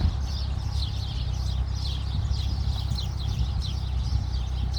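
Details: Chirping birds in Khalifa City, a dense run of quick, high, slurred chirps repeated without pause, set against a constant deep rumbling hum.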